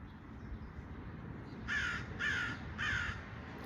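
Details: A crow calls nearby outdoors. Three harsh, hoarse caws come evenly spaced about half a second apart, after a quiet stretch of faint background noise.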